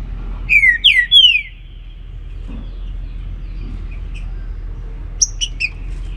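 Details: Green-winged saltator (trinca-ferro) singing in the morning in the baruc song style: three loud, descending slurred whistles in quick succession, followed seconds later by a few short high chips over a low background hum.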